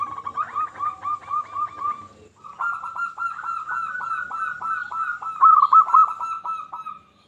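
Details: Zebra dove of a local type, singing as a lure to stimulate other doves: a dense, continuous run of fast staccato coos that grows louder toward the end, with a short break early on.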